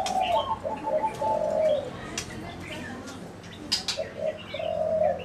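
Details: Zebra dove (Geopelia striata), coo call.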